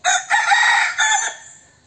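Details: Decoy rooster crowing: one loud, harsh crow about 1.3 seconds long, a short opening note, then a long strained sustained phrase that falls away at the end, with little background noise.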